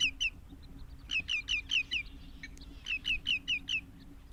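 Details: Hamerkop, a wetland bird of Africa: two bursts of sharp, high, slightly falling yipping notes, about five in quick succession per burst, separated by a short pause, over a faint low hum.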